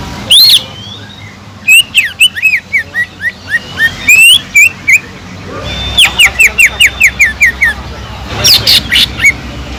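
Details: Sumatran leafbird, gacor song meant to excite other leafbirds: rapid clusters of short whistled slurs and chips, pausing and resuming, with a loud burst near the end.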